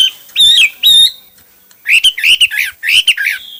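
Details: Hwamei song in one of its many styles: two bright whistled notes with sharp pitch turns, a pause, then a rapid run of warbled, slurred phrases.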